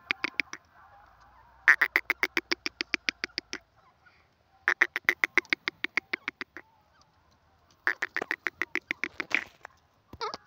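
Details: Grey francolin, several different voices of the wild bird: bursts of loud, rapidly repeated ringing notes, about a dozen per series, in four bouts with short pauses, a harsh note at the end.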